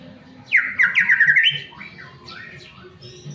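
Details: White-rumped shama singing a lure song meant to set off other shamas: a short burst of rapid, rich whistled notes lasting about a second, followed by quieter trailing whistles and a low background hum.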